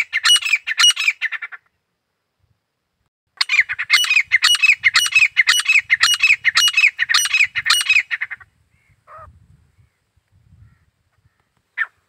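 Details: Desi Teetar, the Grey francolin: a brief harsh burst, a pause, then a long run of about five seconds of loud, rhythmic, grating notes repeated nearly twice a second. A few faint notes and low rumbles follow.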